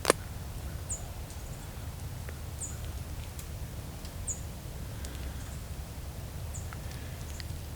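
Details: American tree sparrow in winter at Valens Lake or Dundas Valley Conservation Area near Hamilton, Ontario, during a Christmas Bird Count, giving thin, high, down-slurred chew calls about every two seconds over low wind or traffic rumble.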